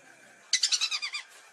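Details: Lesser whistling duck, used to lure birds for hunting: one short burst of about seven clear, high whistled notes in quick succession, fading at the end, over a quiet background.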